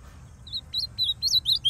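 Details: Brief phrase from a wild masked male ultramarine grosbeak in Northeast Brazilian forest: a handful of quick, high, slurred whistles, growing louder.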